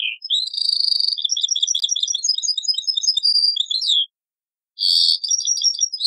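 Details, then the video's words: European goldfinch singing in the taqsrain style, copied from an old cassette: rapid tinkling twitter of high clipped notes with buzzy trills and a sliding liquid note, a short pause, then the twittering resumes. "تغريد تقصراين من كاسيت قديم"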